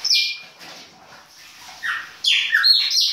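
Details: Chopi blackbird, baianinho-style winter song: a loud opening whistle, a quieter pause, then a bright cascade of falling slurred notes and crisp chirps.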